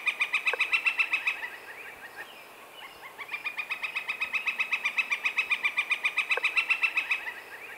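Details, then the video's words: Northern Flicker giving its loud, rolling laughing song in spring while establishing territory: rapid, even wik-wik-wik notes, about four per second, in two long runs separated by a brief pause. "in the spring when Northern flickers are establishing territory they have a loud rolling Laughing Song [Laughter]"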